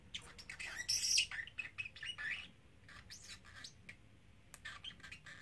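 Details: A 3-month-old male talking parrotlet, in or on a small travel cage, gives a quick run of sharp, high chirps and squawky notes over about two seconds, then softer scattered chirps in a quiet room.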